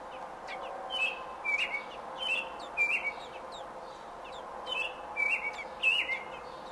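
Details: Robin at its nest on day 28, June 5, 2018: paired short whistled chirps repeated in two bursts of about four notes each, with a quiet gap between, over low hum.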